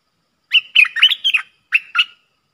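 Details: Streak-eared bulbuls in a fierce song duel between a pair, 30 October 2021: a short phrase of about six bright, clipped, whistled chirps with a brief pause before the last two notes.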